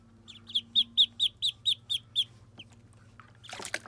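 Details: Muscovy ducklings during their first bath give a run of about nine shrill, falling peeps, evenly spaced and roughly four per second. A lone peep follows, then a splash of water, with a faint low hum underneath.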